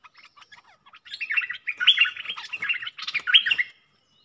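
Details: Decoy red-whiskered bulbul in a cage, used to lure other birds, delivering a long, fast, jumbled run of chirpy warbling notes lasting nearly three seconds, preceded by scattered soft clicks and ticks.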